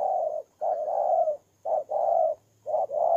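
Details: Spotted dove used as a ground decoy bird in Kon Tum, Vietnam, recorded 23 September 2018: mellow low coos in paired phrases, a short note followed by a longer drawn-out coo, repeated about once a second.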